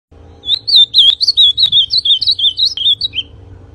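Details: Ultramarine grosbeak, called a 'pintão', singing a lively phrase of rapid, clear warbled whistles that swoop up and down, about three seconds long and ending on a lower note, over a faint steady low hum.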